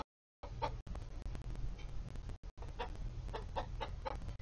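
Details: Coop-kept chickens, Polish, Golden Comets and Easter Eggers, with a few scattered soft clucks, spaced irregularly over a strong low rumbling hum and short dropouts.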